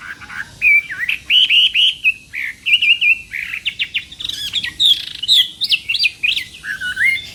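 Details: Chinese hwamei singing for a contest as part of morning training, giving varied, ringing whistled phrases in quick bursts, some flat and sustained, others sharply up-slurred, with short pauses between.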